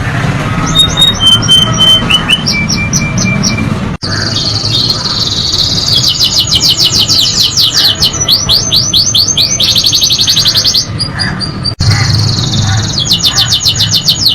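A canary sings rapid rolling trills mixed with clear high whistled notes.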